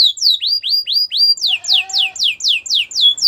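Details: Belgian canary singing a repeated motif: rapid, whistled notes, each sweeping sharply downward, about four per second, with a soft lower tone underneath in the middle of the phrase.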